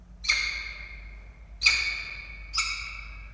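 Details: Nesting peregrine falcon pair filmed by a nest camera in Orange, Australia, 21 August 2023, during a live starling prey delivery from male to female. Three loud, grating calls about a second apart, each starting abruptly and trailing off into a steady rasp.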